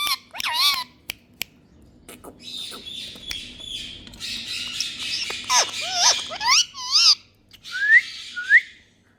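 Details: Pet rose-ringed parakeet giving sharp, wavering screeches that swoop up and down, in bursts with short pauses, while a steady hissing rush of noise fills the middle stretch.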